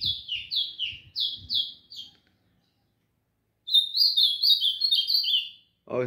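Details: A caged Ultramarine Grosbeak, set outside in the morning sun around 6:30 for a warm-up session beside a golinha, sings two bursts of clear, high whistled phrases, each note slurring downward, with a pause between; low murmuring and a thump at start and end.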